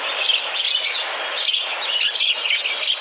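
Sparrows chirping together in a dense, steady chatter of short, bright, high chirps that overlap without a break, like a busy flock.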